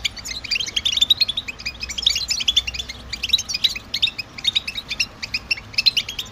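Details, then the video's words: Stimulating song of the European goldfinch, males courting females: phrases of fast, high, liquid twittering, dense at first, then looser chirps spaced a fraction of a second apart. "اعطي الطاقة لطائرك الحسون باجمل البتبتات التحفيزية"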